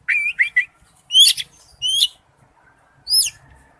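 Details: Male oriental magpie-robin calling to a female, a few short whistled notes followed by three separate sharp, downslurred high chirps spaced about a second apart, in a quiet setting.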